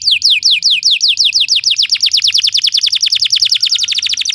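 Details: Belgian canary song used for training other canaries: rapid downward-sweeping whistled notes that speed up into a dense trill toward the end.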